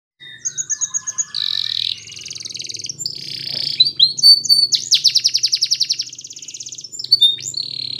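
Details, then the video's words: Belgian canary song played to train young canaries: varied high phrases, rapid buzzy trills, a long dense rolling trill, then sweeping whistled notes and fast repeated chips, with a faint low hum underneath. "Belgian Canary Training for Early Childhood Canaries so that they sing diligently"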